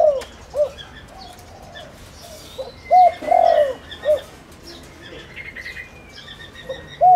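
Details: Spotted dove used as a lure for wild doves gives scattered soft coos and one clear three-part phrase with a long sliding middle note, over light twittering of other birds.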